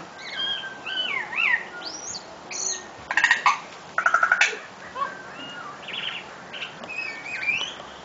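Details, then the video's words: Tui delivering an intricate song of twisting whistled slurs rising and falling, interrupted by two harsh rattling bursts midway, followed by more looping whistles and short chirps. "Tui Bird Singing...Crazy Complicated Song!!!!"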